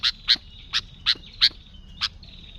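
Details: Sooty-headed bulbul, lively and vocal, heard in a lure recording: six loud, sharp, high chirps spaced about a third of a second apart, with a thin whistled tone at the end.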